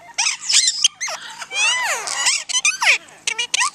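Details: Parrots in fast squeaky chatter, with shrill slurred whistles sweeping up and down and quick chirps packed closely together.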